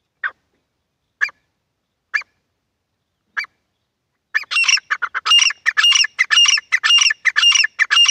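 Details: Wild and hunter's partridge calling, male and female: four short harsh notes at roughly one-second gaps, then a loud, fast, ringing series of repeated raucous notes filling the second half.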